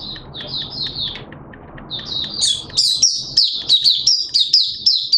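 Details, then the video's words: Opening 'buka' song of a Malaysian Oriental white-eye on Sunday 21 June 2023: a few high chirps, then a quickening stream of bright, sharply rising and falling notes, about three a second, over faint low hum. "Malaysian Mata Puteh Buka Sing"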